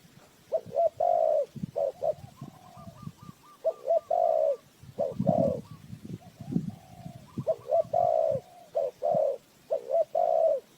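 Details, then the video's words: Spotted dove coo used as a trapping lure: mellow paired and drawn-out coos in steady phrases, overlapped by a thin rapid trill of another dove and low rustling noises. "Tiếng chim cu gáy mồi chuẩn gáy gọi cực hay"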